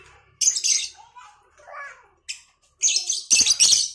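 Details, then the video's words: Lovebirds, Cobalt and Batman colour varieties, answering each other in the morning: loud, harsh, high chattering bursts of shrill chirps, with quieter lower sounds between them. "Saling Saut Burung Lovebird Cobalt X Batman"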